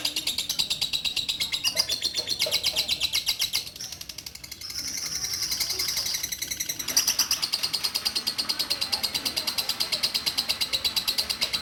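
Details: Caged orange-bellied leafbird, a former breeding hen that sings far more after her mate died, used daily as a song tutor: rapid high chirping notes repeated steadily, with a softer pause midway before the chatter resumes, faint voices behind.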